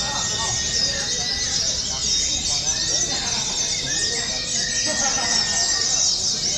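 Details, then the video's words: Simulated white-eye song contest for training: a continuous wash of high, rapid, sibilant twitters from many birds at once, with some sliding whistled notes and steady human speech in the background. "TERAPI DAN SIMULASI LOMBA PLECI : FULL TEMBAKAN PANJANG PANJANG"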